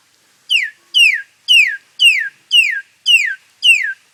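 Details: Black-collared starling, said never to have learned song from its parents, giving funny noises: seven loud, clear, downslurred whistled notes, each falling sharply, repeated about twice a second in a steady series against a quiet background.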